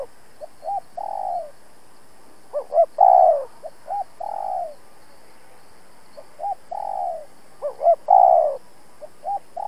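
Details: Decoy spotted dove calling to draw in rival wild doves for trapping: repeated phrases of two or three soft hoots and a long, gently falling coo, four times over, in a quiet setting.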